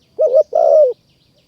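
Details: A single coo phrase from a wild spotted dove lured by a decoy in Kanchanaburi, Thailand. A brief wavering double note is followed by a longer smooth coo that drops at the end.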